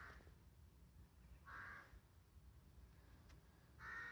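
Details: Carrion crow giving three harsh, hoarse caws spaced about two seconds apart, each short and raspy, over a steady low background rumble.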